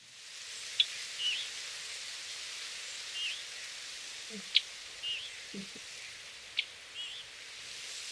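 A Scarlet Tanager fledgling gives soft, high, down-slurred "viewy" begging notes about every two seconds, mixed with sharp chips from an adult over steady background hiss.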